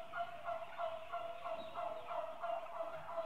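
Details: Flock of eight-month-old turkeys, mostly hens, giving steady rapid chattering calls about three per second, layered over a constant tonal hum.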